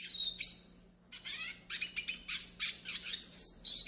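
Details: Hooded siskin of northeastern Brazil in a training and warm-up song: a brief high chirp, a pause, then choppy twittering bursts ending in clear high whistled slurs over a low steady hum.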